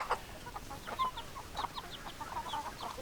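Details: Chickens, hens clucking: short repeated clucks with scattered higher notes, irregular rhythm, no clear crow.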